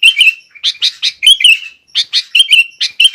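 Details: Sooty-headed bulbul pouring out rapid chirpy phrases: short clipped notes mixed with slurred, wavering whistles, nearly continuous with brief gaps. Played as a master and provocation song to make other bulbuls sing.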